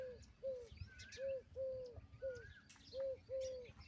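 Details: Indian peafowl, a peahen, calling in steady bursts of clear arched notes, often in pairs, with higher slurred whistles and scattered chirps from other birds in the background.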